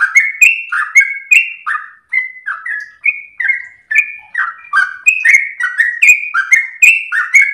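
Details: Sooty-headed bulbul in lively, long-breathed ropel song, used as a master and lure recording for half-trained birds: an unbroken chain of short, bright slurred whistles, each dipping then rising, delivered quickly with no other sounds.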